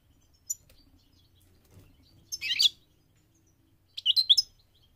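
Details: Migrating goldfinch giving two short bursts of bright, high twittering notes about two seconds apart, with near silence between them.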